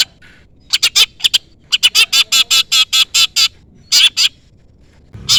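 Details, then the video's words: Long-tailed shrike (cendet) giving a lure call aimed at a rival: quick runs of harsh, scratchy notes, about eight in a steady row at mid-clip, separated by short pauses. "pancingan cendet gacor full isian CUITAN MEMANGGIL LAWAN Ini ahlinya bikin burung cendet Nyaut"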